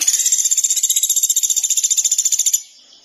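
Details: Sunda pygmy woodpecker (pelatuk beras), singing vigorously (gacor): a steady, rapid, high-pitched rattling trill held for about two and a half seconds at an even rate, then stopping abruptly.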